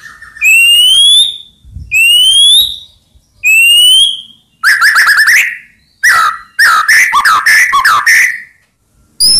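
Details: White-rumped shama song aimed at provoking rivals to answer: three long rising clear whistles, then rapid chattering bursts of slurred and buzzy notes.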